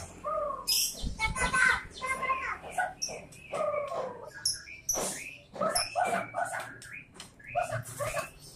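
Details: White-rumped shama delivering a lively, varied song of rich whistles, sharp clicks and buzzy harmonic phrases in quick irregular bursts separated by short pauses.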